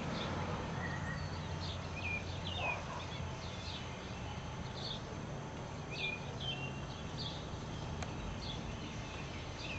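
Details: At sunset in Oklahoma, several birds sing short, high chirps and downslurred whistles scattered through the clip, over a steady low rumble of wind or distant traffic.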